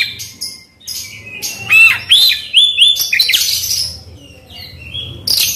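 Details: Oriental magpie-robin singing, played to stir a quiet bird into song: a sequence of sweet whistled slurs and rising notes, interspersed with scratchy chips and harsh buzzy fragments, fading toward the end.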